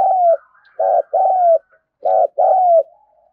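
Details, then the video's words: A spotted dove calls energetically to rouse freshly caught doves. A drawn-out descending coo ends, then two pairs follow, each a brief burred note and a longer mellow coo sinking in pitch. Faint soft coos sound in the background. "cu gáy thúc gù , Gáy Gọi cực sung mãn giúp những chú bổi nhanh nổi"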